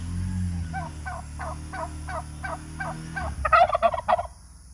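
A male turkey gives a rapid run of throaty, bubbling notes, about four a second, ending in a louder rattling gobble. A low steady hum runs underneath.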